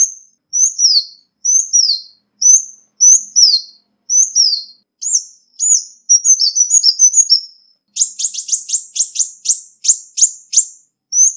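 Ruby-cheeked sunbird giving high, thin descending chips about twice a second, then a quicker run of sharp metallic ticks; no other sounds.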